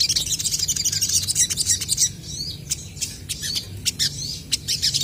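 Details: Vocal crested jays trading song, packed high chirps and squeaky upslurred whistles in a rapid stream, then sparser sharp notes with short pauses between them.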